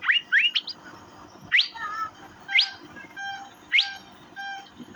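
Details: Asian fairy-bluebird (cucak biru) making steep rising chirps roughly once a second, between them steady humming tones in layered bands that recur throughout.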